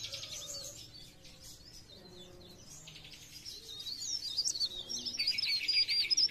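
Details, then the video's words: Sunda warbler singing in the blereng gacor style, 'pre pare', used as a lure to prompt other birds to sing: high, thin twittering warbles and buzzy trills over faint background noise. "Cikrak daun | pre pare | blereng gacor untuk pancingan bunyi"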